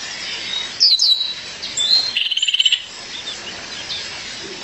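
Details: Calling for her mate, a female violaceous euphonia gives a sharp high note followed by a fast, even trill of about a dozen ticking pulses, against light background hiss.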